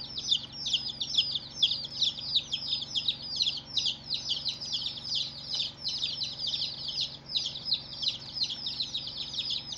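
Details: A crowd of first-day baby chicks calling, loud, rapid high-pitched peeps overlapping in a busy continuous chorus, a faint mechanical hum in the background.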